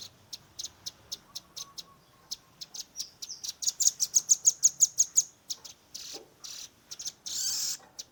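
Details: Recorded on a Redmi 10, a young velvet-fronted nuthatch gives a tembakan, or shooting call: spaced high chips that speed into a loud rapid trill, then scattered harsher notes and a short hissing burst.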